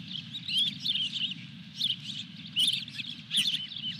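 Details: Nest-side osprey with a fish, Dunrovin Ranch, 23 June 2021: clustered piping whistles come in uneven bursts roughly every second, backed by a faint steady low hum.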